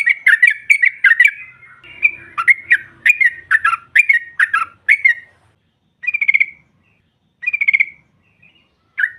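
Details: Female sooty-headed bulbul provoking rival birds: a lively string of slurred whistled chirps, then a pause and two shorter, buzzy bursts with a final single note.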